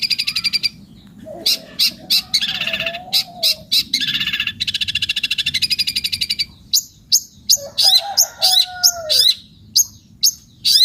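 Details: Long-tailed shrike in full song, harsh sharp chirps alternating with rapid buzzy rattles and a few lower drawn-out whistled slurs, delivered in varied bursts.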